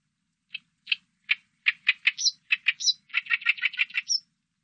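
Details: Oriental reed warbler singing a 2020 recording: loud croaking chack notes at first well spaced, then quickening into a dense rasping chatter with occasional high squeaks.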